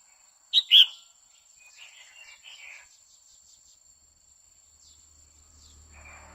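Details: Female red-whiskered bulbul singing to encourage a male: a loud two-note whistle, the second note fuller, followed by faint softer warbles and light rhythmic ticking.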